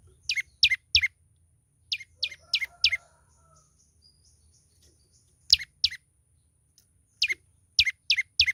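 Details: Lively young olive-backed tailorbird: bursts of three or four high, steeply descending chirps in quick succession, separated by short pauses, repeated through the clip with a soft background hum.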